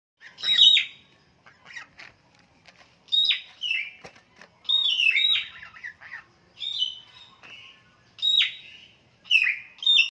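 Goslings peep in high, clear bursts that slide downward in pitch, one burst every second or so, with faint clicks and rustles behind.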